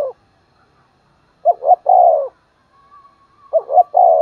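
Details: Spotted dove decoy bird calling in the morning to lure wild doves: two short cooing notes followed by a longer, lower drawn-out coo. The phrase is given twice, about two seconds apart, over a faint steady whistle.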